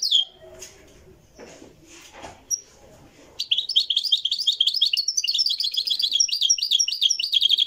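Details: Live recording of a Moroccan goldfinch in the Marrakchi song tradition: a few seconds of quiet talk, then a continuous, rapid stream of high, tinkling twitters and jingling trills.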